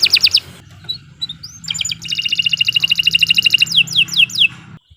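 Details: Canary in a varied song: a quick falling rattle, scattered thin upslurred notes, then a sustained buzzy pulsing trill ending in a few sharp descending whistles before stopping, with a low background hum.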